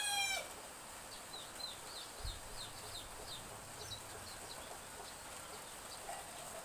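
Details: Village chickens at dawn in gentle drizzle, behind a house: a brief harmonic-rich cry cuts off at the start, then young chicks give quick, thin, falling peeps in loose runs above soft rain hiss, with a low thump midway.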